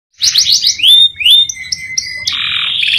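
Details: Canary in a long, continuous training song for other canaries: quick descending chirps, then rising whistled slurs, a long steady whistle, and a dense buzzy trill closing the phrase.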